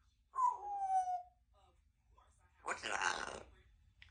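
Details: A 2-year-old female Congo African grey parrot talking at home: a drawn-out, gently falling word, then after a brief pause a harsh, breathy burst like a hissed syllable, in a quiet room.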